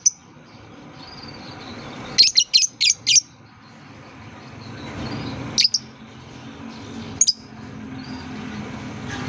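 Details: Lovebird, sounded to coax young birds learning to sing into calling: a quick burst of four or five shrill high chirps, then two isolated chirps over a rising low background hiss.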